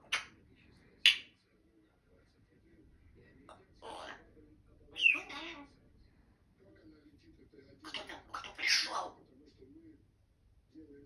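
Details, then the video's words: Male Grey parrot kept as a sociable pet, talking indoors and declaring love: a few separate speech-like utterances and clipped squawks, with a longer jumbled phrase near the end. "Попугай Жако-Паша, признаётся в любви!"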